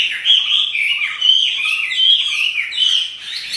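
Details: Captive hwamei, known locally as wambi, pouring out a loud song. Varied fluty whistles rise and fall, with a few lower notes woven underneath.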